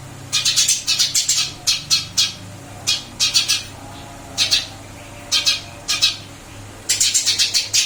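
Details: Eurasian tree sparrow in a new cage, singing energetically: fast trains of bright, buzzy chirps broken by short silences, ending with a lively rapid burst, over a low indoor hum.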